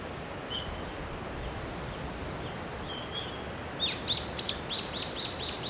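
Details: Japanese pygmy woodpecker young being fed at their nest hole in the mountains of Shimokitayama, Nara Prefecture, Japan, from mid-May: soft faint notes first, then an abrupt run of loud, rapid, high-pitched chirps repeated several times a second.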